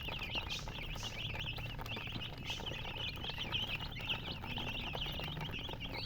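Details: Many chicks of a colored hen breed peep constantly in high, quick chirps, overlapping into a busy chorus with a steady low hum beneath.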